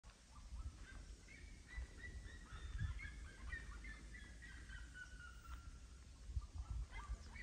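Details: Seriemas singing: a run of loud, yelping notes with strong overtones, repeated rapidly in a rising-and-falling series, over a steady low rumble of wind.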